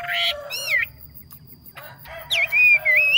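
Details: Yellow phua bird singing well as a decoy, with strong whistled phrases that dip and rise, a short break, then a wavering, drawn-out whistle at the end.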